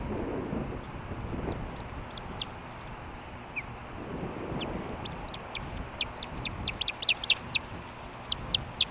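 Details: Osprey at the Hellgate nest on 12 August 2015, 9:55 MDT, on a nest camera, as the resident female chases an intruder female away; thin, high chirps grow more frequent toward the end over steady wind rumble.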